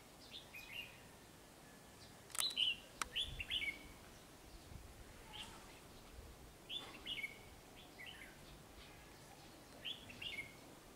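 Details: Red-whiskered bulbul drawn to a decoy fighting trap: scattered brief warbling phrases with long pauses between them, plus a couple of sharp clicks and faint rustling.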